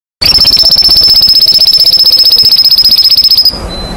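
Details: Agitated canaries in a fast, loud, continuous high trill. Rapid identical notes repeat about four times a second for over three seconds, then stop abruptly and leave a faint high tone.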